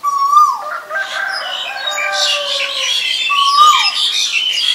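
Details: Male Asian koel giving a clear tonal note that holds level and then slides downward, sounded twice about three seconds apart, with a busy chorus of higher chirping birds behind.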